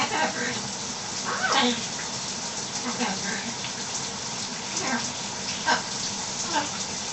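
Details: Pet macaw showing off talking and learned belching in the shower: short, throaty speech-like bursts and gruff grunts, with the steady hiss of running shower water throughout.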